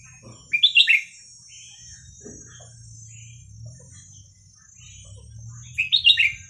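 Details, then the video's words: Red-whiskered bulbul repeating its hua krok khayao khuat style song, played for young birds to learn: two matching bubbly warbled phrases about five seconds apart, soft chirps between, a low rumbling hum and a high whine. "เสียงนกกรงหัวจุกเพลงหัวครกเขย่าขวด เปิดสอนลูกนก"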